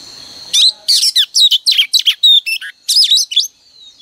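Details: Female oriental magpie-robin used as a decoy, singing to stimulate males each morning: after half a second of quiet, a rapid string of varied sharp whistled notes and buzzy slurs over about three seconds, ending with a faint trailing whistle.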